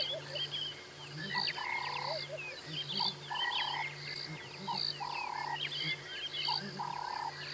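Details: Southern ground hornbills basking in the sun at Djuma Game Reserve, about 7 AM sunrise on Feb 19, 2017, one giving a very soft call, unusually late in the morning: low hollow booming notes every couple of seconds, other birds twittering.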